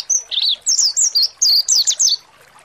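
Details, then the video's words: Mountain white-eye "ngalas" singing, played to make kept birds open their beaks and sing: a short string of about eight high, sharp, twittering notes, some slurred downward and some rising, delivered in quick succession over two seconds. "PANCINGAN PLECI MONTY NGALAS BUKA PARUH"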